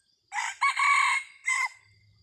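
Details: Red junglefowl rooster used as a decoy to lure wild junglefowl in Thailand, 30 October 2023, gives a full crow: a harsh opening note, a longer strained middle phrase, then a short clipped final note, over quiet background.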